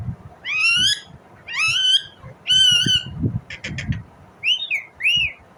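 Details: Series of loud, rising, screeching calls from an Indian ringneck parrot, three long wavering screeches followed by a few rapid clicks and two short, arched squawks.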